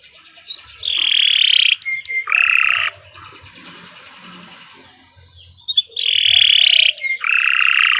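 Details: Canary song for songbird training, delivered as long harsh buzzy rolls in two-part phrases, each lasting about a second, separated by a quiet pause with faint background hiss.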